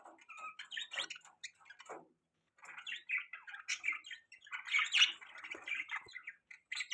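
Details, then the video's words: Budgies chattering quietly in a continuous jumble of varied squeaky, warbling notes and short squawks, with a brief silent gap partway through. "Beautiful Budgies Parrots Chirping Sounds | Budgie Beautiful Voice"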